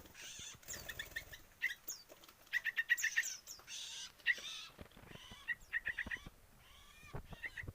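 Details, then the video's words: Two sooty-headed bulbul hand-fed nestlings, about 7 days old, give rapid, harsh squeaky begging calls in quick bursts, several per second, mixed with rustling and handling noise. "lolohan burung trucukan berumur 7 hari"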